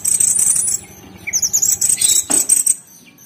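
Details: Orange-bellied leafbird in tembakan song used as a master recording: a dense stretch of shrill high twittering, a brief lull, then rapid pulsed high notes ending with a sharp click.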